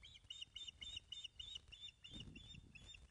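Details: Osprey at Loch of the Lowes, Scotland, on a nest webcam on 19 May 2012 at 10.27am during a fish delivery: rapid series of high, thin piping whistles repeated several times a second, with low rumbling and wind noise.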